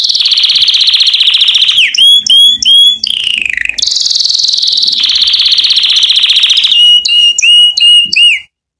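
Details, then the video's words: Powerful canary song meant to train canary chicks: a loud, fast, steady trill, then repeated swooping upslurred whistles in short series, cutting off abruptly at the end. "تعليم فراخ كناري على تغريد ان شاء الله اقوى صوت للفراخ الكناري"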